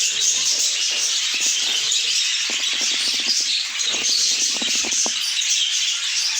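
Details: Continuous twittering of many budgerigars, high squeaky chirps blending together, with bursts of quick dry clicks and taps scattered across the recording.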